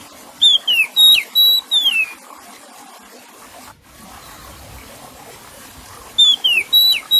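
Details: Oriental magpie-robin singing a phrase of five pure whistles, level and down-slurred, then a few seconds of quiet hiss before the same whistled phrase starts again.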